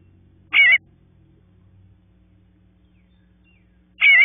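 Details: Nestling bluebirds waiting for their parents to call them out; a harsh, buzzy call near the start and another about three and a half seconds later, with quiet low hum between.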